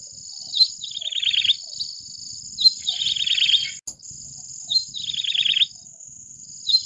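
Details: Repeated song phrases of a Yellow-bellied Prinia, each a bright opening note leading into a quick, slightly descending chattering trill, given about every two seconds; a continuous shrill background hum and one brief click midway.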